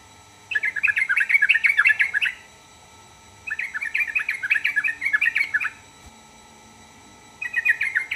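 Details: Sooty-headed bulbul song, meant to make other bulbuls answer: three bubbly, chattering phrases of rapid warbled notes, each about one to two seconds long, separated by quiet pauses, with a faint steady hum underneath.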